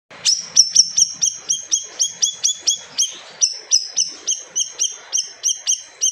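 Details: Siri-siri bird singing gacor with fierce 'tembakan' bursts, a loud song said to silence other birds: sharp high whistled notes with a lower harmonic, repeated steadily about three times per second.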